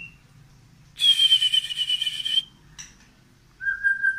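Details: White-rumped shama of Medan stock, tail pushed out, singing: a long steady high whistle laid over a harsh hissing burst, a pause with faint clicks, then a lower level whistle.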